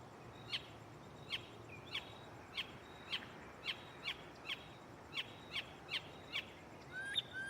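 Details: Mockingbird singing at night from a tree close by, a series of short sharp chirps repeated about every half second, rising at the end into a brief varied phrase over a steady background hiss.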